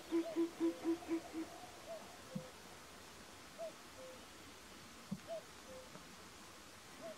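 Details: Short-eared owl (Asio flammeus flammeus) in the mountains of Härjedalen, Sweden, giving a quick run of about six low, hollow hoots, then fainter higher notes and a few soft clicks.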